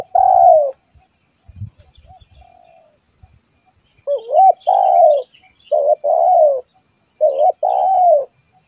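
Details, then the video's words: Spotted dove luring call meant to attract other doves: one drawn-out coo, a pause with faint clicks, then three two-part phrases, each a short wavering note followed by a longer descending coo. "Suara pikat burung tekukur"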